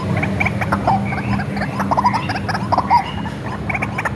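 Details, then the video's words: Lure call of a white-breasted waterhen hand-raised from a young age: uneven harsh croaks and chatter with a few clear ringing notes, over a steady low hum. "SUARA BURUNG RUAK-RUAK ASLI RAWATAN DARI KECIL"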